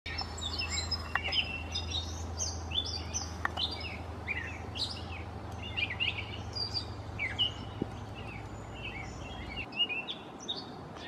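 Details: Gray catbird singing like a mockingbird, mimicking other sounds: a continuous jumble of varied squeaky, whistled and chattering phrases, each note different, over steady low rumbling background noise that stops near the end.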